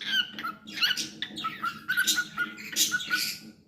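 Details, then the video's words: Pet cockatiel singing indoors: a string of whistled notes near one steady pitch, broken by harsher chirps and buzzy bursts, with uneven pauses. "Adorable Cockatiel Milo's Cute Singing Moments"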